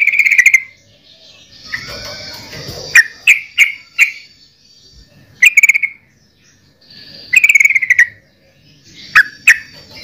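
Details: Yellow-vented bulbul singing loud, bubbly whistled phrases, each short and slurred, given in bursts separated by pauses of a second or more, with brief rustling noise between phrases.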